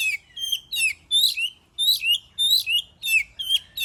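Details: Oriental magpie-robin song used for luring other birds to sing: lively harsh chattering bursts with falling slurred endings, about eight phrases in under four seconds with one short gap.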